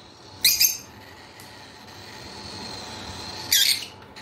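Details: African lovebird giving two short, shrill, high screeching bursts about three seconds apart, with a faint steady hum between them.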